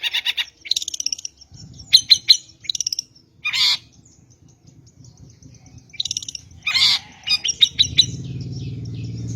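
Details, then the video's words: Long-tailed shrike lure recording for trapping shrikes: scattered harsh buzzy bursts and short chattering phrases with pauses between them, over a low steady hum. "PANCINGAN MASTERAN PIKAT BURUNG CENDET"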